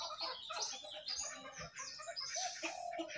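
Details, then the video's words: Jongkangan perched on its cage sings a jumbled stream of squeaky, scratchy notes mixed with brief whistles and chirps, continuous throughout. "Jongkangan Gacor Di atas Sangkar"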